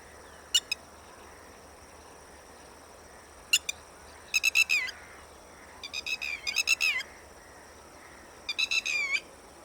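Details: Red-wattled lapwing uttering isolated sharp notes, then three hurried bursts of loud, ringing, slightly descending notes, spaced a few seconds apart, with no other clear sounds.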